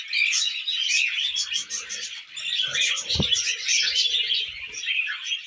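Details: Tame budgerigars eating millet keep up a dense, unbroken chorus of high chirping and buzzy warbling. Faint low scraping runs through the middle, with one sharp knock just past three seconds.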